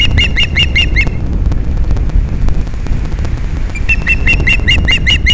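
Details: Osprey calls at Captiva, Florida, on 13 December 2021 during morning mating: two fast runs of repeated high, piercing chirps, the second longer, with loud wind rumbling throughout.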